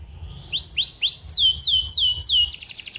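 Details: Domestic canary song used as tutor song for young canaries: a few rising whistled upslurs, then fast descending sweeps repeated about three times a second, ending in a quick trill.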